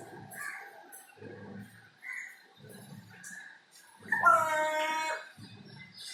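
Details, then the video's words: Crow imitating strange noises it learnt near a window, making odd voice-like gurgles and mutters, then a louder nasal, almost spoken harmonic croak near the end; recorded from far away with background noise. "Crow talking/imitating strange noises"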